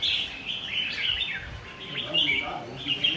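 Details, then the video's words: Vigorous red-whiskered bulbul song of quick, bright whistled slurs and chirps strung in uneven bursts, with a low hum of voices behind. "Chào mào chơi căng"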